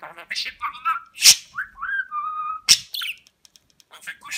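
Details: A talking budgerigar kept as a pet in Rize, 2020, mimics words like 'Babacık' and 'Aşkım'. Squeaky speech-like syllables mix with clear, level whistled notes and sharp clicks, then a brief pause and more chatter.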